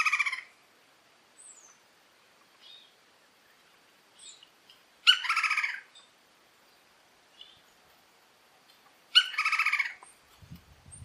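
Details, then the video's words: Red-crowned woodpecker in the forests of the Orinoquía: three loud, harsh, buzzy rolling calls with rich stacked overtones, roughly four seconds apart, with faint soft chips between them and a brief low thump at the very end. "El carpintero copetirojo y su llamado en los bosques de la Orinoquía"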